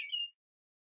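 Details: A male Downy Woodpecker eating sunflower seeds at a backyard bird feeder gives one short, sharp, high 'pik' note, then silence.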